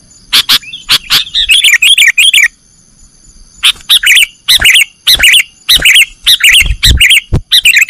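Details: Sooty-headed bulbul singing 'nggaruda' style for cage-bird training: an opening run of bubbly notes, a one-second pause, then repeated short warbled phrases and crisp chirps.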